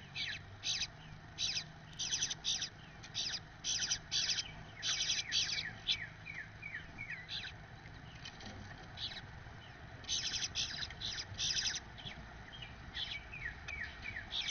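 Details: Male Eastern Bluebird feeding one of his babies from the first clutch: harsh, buzzy bursts in quick clusters with a pause in the middle, mixed with thin high chirps over a faint low hum.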